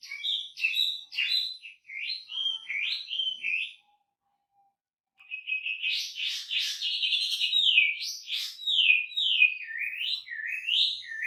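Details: Wambi singing vigorously with a rich, varied song: quick whistled notes slurring up and down, then a pause of about a second and a half, then a denser burst of buzzy, rising and falling phrases.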